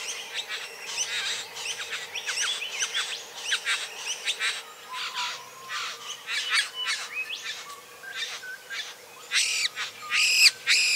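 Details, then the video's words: Satin bowerbird courtship display: a rapid, varied run of buzzy chatters, harsh rattles and short whistled notes, with brief pauses and a steady faint hum behind. "Satin Bowerbird courtship behavior"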